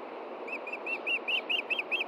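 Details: Male osprey at a Montana nest in June 2013, 8 pm, seeking the fish his mate had hidden after feeding the chicks. Eight bright, slightly rising whistled chirps come in quick, even succession over steady hiss.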